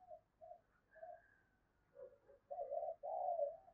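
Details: Decoy spotted dove cooing to provoke wild doves into answering: a few short low hoots, then a quiet pause and louder, longer hollow coos building toward the end, with faint background hiss.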